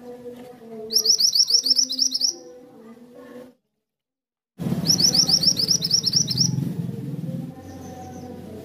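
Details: Mantenan, or kuniran, giving quick repeated high chirping phrases over lower warbled notes, then a brief silence, then another chirp burst over louder low rumbling background noise.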